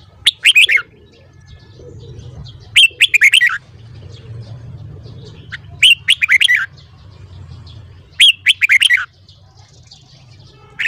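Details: Morning song of a caged red-whiskered bulbul kept for voice training: four quick phrases of clear, warbling whistled notes, roughly every two and a half to three seconds, over a low background hum.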